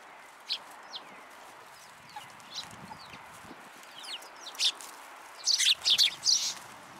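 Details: Sparrows visiting a raised platform to be fed at a Tenmangu shrine on 14 February 2023; quiet scattered chirps building to a lively burst of loud, overlapping high chirps near the end.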